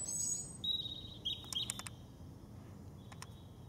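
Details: European robin singing in the Veerse bos, dated 080314; a high, thin whistled phrase with a sustained wavering note that fades, followed by a few sharp clicks, over a constant low background hum.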